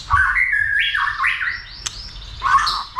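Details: White-rumped shama excited to sing and fight; low, mellow whistles rising in steps, a single sharp click, then a faint high sliding note and a closing warble.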